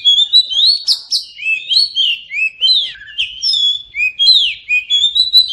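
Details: Oriental magpie-robin singing, used to get silent magpie-robins singing after moulting: clear slurred whistled phrases, rising and falling at a steady pace, with a few sharp high notes.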